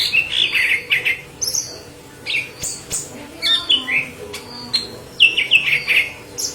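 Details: Energetic song of a yellow-headed leafbird meant to train green leafbirds: rapid sequences of bright warbled notes and high squeaks in bunches, a short lull midway, then more sweeping whistles.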